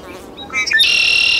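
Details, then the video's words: Great-tailed grackle recorded June 17, 2017 in Taos, New Mexico, giving short rising whistles that lead into a loud, sustained grating buzz. "Great-tailed Grackle"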